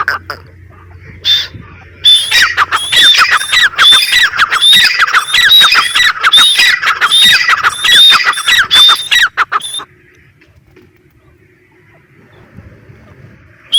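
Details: Grey francolin (teetar) calling in a loud, harsh series of rising, squeaky whistled notes, about one per second, from the second to the tenth second, then near silence with faint background hum.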